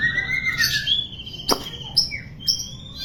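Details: White-rumped shama song used as training material for birds that sing too little: long, pure whistled notes sliding up and down, with short clear chirps and a sharp click.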